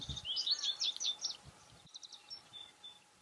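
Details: High, jumbled twittering phrase of an American goldfinch for about a second, followed by faint notes against noticeable low background noise and soft thumps.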